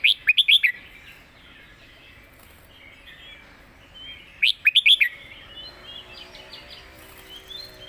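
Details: Caged red-whiskered bulbul kept as a competition singing bird, giving the 'mother song' style with clear phrasing: two quick bursts of bright, rapid chirping notes about four seconds apart, joined by softer twittering warbles in between.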